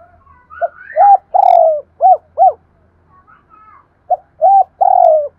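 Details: Spotted dove serving as a lure bird, cooing in repeated phrases of arched hollow hoots and long falling coos. A thin rising whistle from another bird is heard early on, over a faint low hum.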